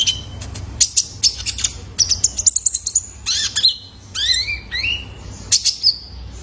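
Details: Young male Kolibri Ninja recorded as a lure for caged birds. Fast high chips and trills come first, then several slurred, sweeping squeaks that fall and rise, and a final burst of chips.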